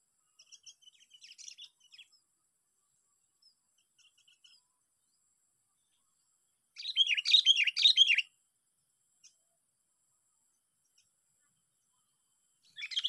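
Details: Sooty-headed bulbul, a lure-caught bird competing on day six: soft scattered chirps at first, then a loud burst of tumbling, bubbly notes lasting over a second, and a brief strong phrase right at the end.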